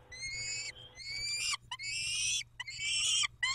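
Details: Peregrine falcons at Dobra during a feeding at 11:48 on 19 May 2021: drawn-out, harsh, harmonic wailing calls, each about half a second to a second long, repeated with short gaps, with a faint steady low hum underneath.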